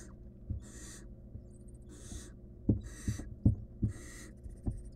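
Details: A wild barn owl nestling handling a stolen rodent by itself inside a monitored nest box gives five rasping hisses about one second apart, while a cluster of knocks and bumps sounds in the middle amid a low hum.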